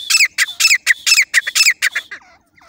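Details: Harsh, grating partridge call used as a lure for jungle hunting: six or seven loud scratchy notes in quick succession, then softer fading notes trailing off into quiet.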